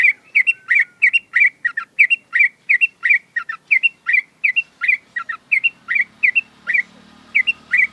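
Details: Caged sooty-headed bulbul sunning in the morning after dew therapy, singing a long unbroken stream of bubbly, chirping two-part notes, about 85 per minute, fairly irregular, with a faint low hum behind.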